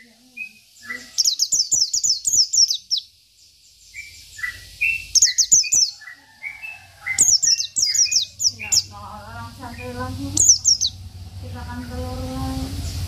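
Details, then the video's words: A local Oriental white-eye sings in the filled 'isian' style meant to stir up rival birds. Runs of fast high descending notes alternate with whistled slurs and lower warbles, over a faint low hum that builds toward the end. "PLECI BIKIN EMOSI LAWAN || Pleci Lokal || Pleci Isian"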